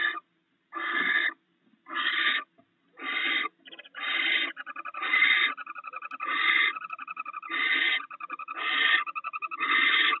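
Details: Nest of a barn owl pair sharing rats: a run of about nine rasping hisses roughly one per second, later bursts overlaid by rapid steady ticking that continues between them.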